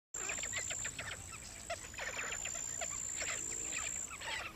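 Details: A busy flock of black-winged stilts, offered as a lure call for rice-field and marsh birds, chatters with sharp, overlapping yapping notes under a thin, steady whine.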